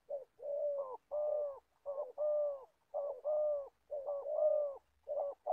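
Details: Spotted dove used as an older decoy for trapping in Gia Lai, Vietnam, cooing repeatedly in low paired phrases, a brief note leading into a longer one, with faint low thumps beneath.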